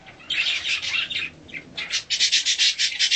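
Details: A hand-tame mutation budgerigar at feeding time, uttering short scratchy chirps, then a quick run of evenly spaced harsh notes.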